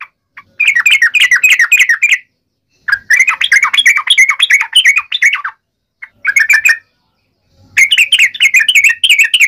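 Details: Yellow-vented bulbul in a fierce fighting song of the 'ngalas uplik ropel' style, meant to make other bulbuls answer: rapid, busy chattering bursts of bubbling notes, roughly two seconds each, separated by short pauses.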